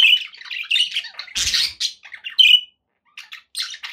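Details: A pet budgerigar's lively chirping: quick warbled twitters, a loud harsh squawk near the middle, a clear whistled note, then softer chatter after a short silence.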